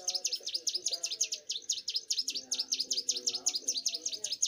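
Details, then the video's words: Young Bar-winged prinia singing hard, a continuous string of loud, sharp, swooping high notes delivered at about five per second without pause, faint low hum and murmur in the background. "prenjak gunung muda gacor"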